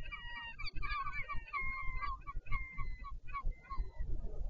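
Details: Nesting northern royal albatross, Taiaroa Head colony near Dunedin, New Zealand, calling as parents swap incubation duty, 14 February 2019. Nasal, braying honks, some drawn out and others clipped, overlap in quick succession over steady low wind noise.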